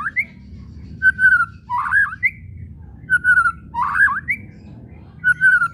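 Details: White-rumped shama whistles used to stir shamas into song: a repeated phrase of a flat whistled note, a warbled dip and a short rising whistle, recurring about every two seconds.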